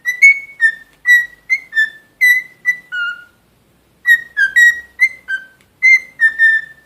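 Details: Pet cockatiel whistling a melodic tune of short clear notes, rising and dipping pitch, a run of about nine notes, a pause near four seconds, then another similar run, quiet room behind.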